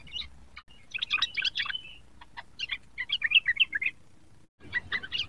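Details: A young sooty-headed bulbul practising its song: clusters of bright, jumbled chirps and short warbles in bursts, separated by brief quiet gaps, with light background rustle.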